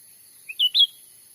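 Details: Cucak ranting (grey-bellied bulbul) original sound used as a lure to trap wild birds in Sumatran forest by day. A soft short note is followed by two loud, bright slurred whistles, falling then rising, in quick succession. No other sounds.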